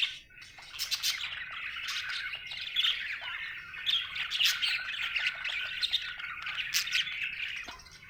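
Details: A happy budgerigar chirping in a continuous, busy warble of high twittering notes and short squawky chirps, with sharp clicks scattered throughout and brief pauses in between.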